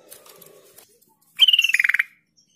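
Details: Sooty-headed bulbul lure sound intended to make other bulbuls respond. After soft rustling, one loud trill of quick pulses slides from high to slightly lower pitch and ends abruptly, followed by quiet.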